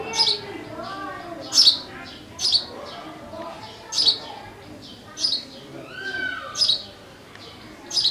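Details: Sparrow chirping in a steady series, sharp high chirps roughly every second, interspersed with softer lower warbling notes and faint background sounds.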